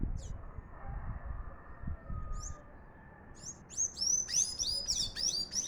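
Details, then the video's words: Sayaca tanager in full song: sparse high squeaks at first, then a fast run of thin, squeaky, rising and falling twittered notes packed closely together, over faint low background rumble. "sanhaço máquina canta muito"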